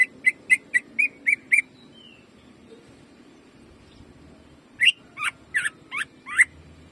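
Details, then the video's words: Greater green leafbird in jamtrok style, a master recording for caged birds: six quick clipped notes, a quiet gap with a soft slurred whistle, then five louder, buzzier notes sweeping up and down. "CUCAK IJO GACOR JAMTROK TEMBAKANYA BIKIN PANAS"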